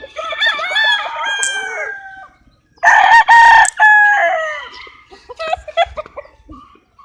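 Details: Roosters crowing: a descending harmonic crow, a pause, then a louder crow broken into stuttered bursts, followed by softer clucks from hens.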